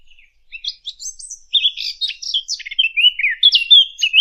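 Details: Fig bird voice used as a hunting lure: a quick, varied warbling of high chirps and short whistled notes, starting softly and growing louder and denser, with brief buzzy slurs and rapid twittering throughout.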